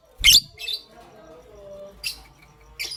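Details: Pastel gray and green lovebirds chirping in the morning: one strong harsh squeak with a thump, a softer chirp after it, then two more shrill chirps spaced apart.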